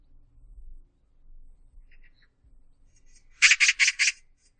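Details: Oriental magpie recorded in Korea in 2020 gives a burst of four harsh, rasping chatter notes in quick succession, after a few faint, quieter chips, over a soft low background rumble.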